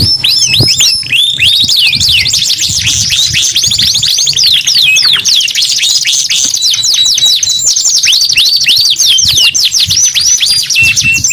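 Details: Sustained canary singing: fast chains of high, sweeping notes roll into buzzy trills and rattles without pause, ending on a brief flat whistle.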